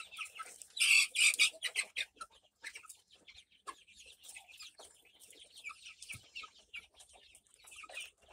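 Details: White Leghorn chicks, hatched March 17, 2024, recorded May 26, 2024. Many high, thin peeps overlap in a constant busy chatter, loudest in a dense burst near the start, then continuing as steady scattered cheeps.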